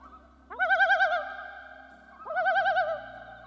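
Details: A Common loon (Gavia immer) gives two eerie, quavering, wavering calls, each rising sharply into a rapid warble and fading into a held tone, with a faint low hum beneath.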